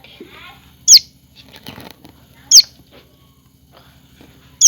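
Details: Common tailorbird chick giving short, piercing downslurred chirps roughly every one and a half seconds, with soft rustles and quiet background noise between calls.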